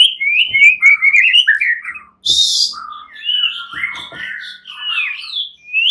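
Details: Several fighter-type white-rumped shamas answer one another, agitated and in full voice: rich, varied whistled phrases sliding up and down, delivered rapidly and almost without pause, with a brief harsh rustling burst midway.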